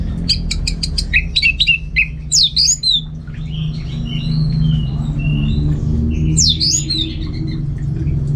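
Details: Orange-headed thrush in home training in North Bali: fast rattling series of sharp notes, then scratchy swooping phrases and softer warbles against a noticeable low rumbling background.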